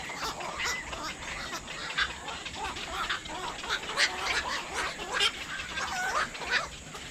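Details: Black-crowned night heron: a busy chorus of harsh, hoarse squawks and croaks from several birds overlapping, with short bursts coming every fraction of a second and louder barks around the fourth and fifth seconds. A steady faint hiss sits in the background.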